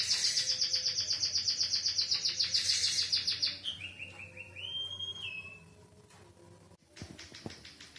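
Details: White-headed munia taught canary song: a loud, fast, high rolling trill lasting about three seconds, followed by a lower sliding whistle that wavers and fades, then a sharp knock.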